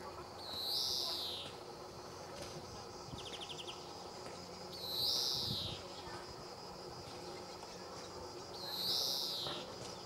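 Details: Three drawn-out, buzzy wheezes from a male greenfinch, repeated roughly every four seconds, with a brief fast trill between the first two; recorded 26 July 2014 at Sabunike, Croatia, over faint background hum.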